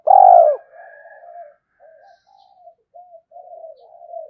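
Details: Decoy spotted dove cooing to provoke fighting: one loud, falling coo opens, followed by a long run of soft, murmured low coos with brief pauses.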